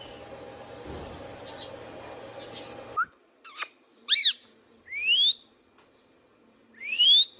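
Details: Pet Indian ringneck parakeet: steady room hum gives way to a brief note, two harsh piercing squawks, then three clear rising whistles spaced about a second apart.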